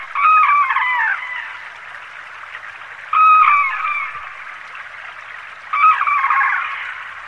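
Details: White-naped crane guarding a mallard caught by an eagle, giving three loud, ringing trumpet calls, each about a second long and slightly falling, spaced a few seconds apart over a steady background hiss.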